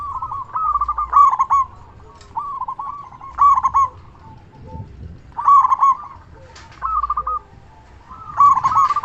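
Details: Local zebra dove, loud and actively calling, used to stimulate and draw responses from other doves. About five rippling coo phrases come at regular intervals, with strong opening notes and softer trills after.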